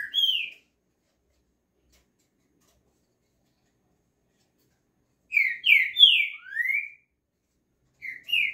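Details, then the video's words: Green-winged saltator singing: a lone clear whistled note, a long pause, then a loud phrase of four slurred whistles ending in a rising sweep, and the phrase begins again. "Trinca ferro"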